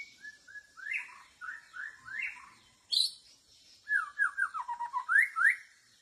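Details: Decoy white-rumped shama in a bamboo forest luring other birds: rich, fluting, upslurred whistles in short phrases, a sharp high note, then a rapid descending series of liquid notes ending in two rising whistles.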